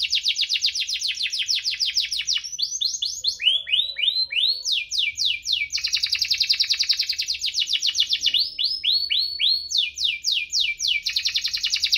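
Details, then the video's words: Canary in rolling, chirping song meant to coax lazy canaries into singing: fast series of quick rising sweeps and dense high trills, changing tour every couple of seconds without a break. "Kenari Gacor cuit-cuit ngerol, pancingan untuk burung kenari malas bunyi"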